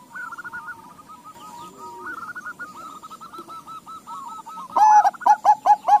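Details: Several crossbred Bangkok and local zebra doves responding to each other: a long soft run of rippling trilled coos, then near the end a loud series of short hooked coo notes.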